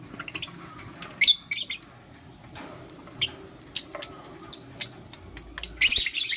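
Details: Lutino lovebirds, one male choosing between two females: sharp, high squeaky chirps in scattered bursts, with loud clusters near the start and end, over a quiet indoor background.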